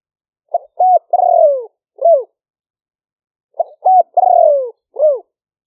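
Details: Spotted dove used as a trapping decoy, liu-fueang middle-voice song, recorded in rainy-season rice fields near Tao Lek, Roi Et, Thailand. Two identical phrases, about three seconds apart, each of short coos, a long descending coo, and a closing curved note.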